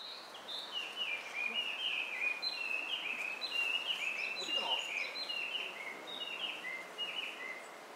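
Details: White-cheeked starling recorded 18 May 2019 at Gaikotsu-yama, Japan: a dense, unbroken stream of harsh, squeaky chirps and short downslurred notes, overlapping and chattering quickly throughout, over a faint steady background hiss.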